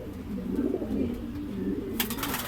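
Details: Racing pigeons at Guiguinto, Bulacan, after their second truck training, returning largely as a group; soft low coos bubble along for two seconds before a sudden clatter breaks in.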